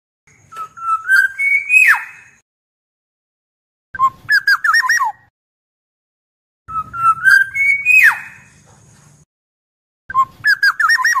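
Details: Black-naped oriole giving alternating phrases: a rising fluted whistle ending in a sharp downward sweep, then a bubbling run of liquid whistled notes, each phrase followed by a pause of over a second.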